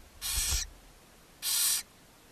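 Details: Barn owls at a nest box in Ságvár, Hungary, May 4, 2024, where the mother feeds her seven owlets. Two strong, harsh hissing screeches, each about half a second long, a second apart.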